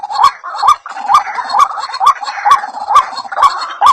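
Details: White-breasted waterhen call for luring birds: evenly spaced rising notes roughly twice a second, mixed with a soft continuous jumble of other calls and sharp ticks.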